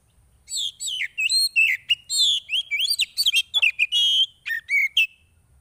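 Oriental magpie-robin in full song: a rapid, varied run of clear, high whistles, slurs and short chattery notes for about five seconds, with no other sounds.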